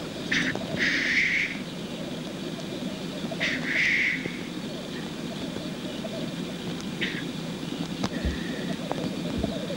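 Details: Male black grouse at a lek during the mating display: continuous low bubbling, rolling coos throughout, broken by loud hissing, sneeze-like bursts near the start and around four seconds, and a shorter hiss near seven seconds.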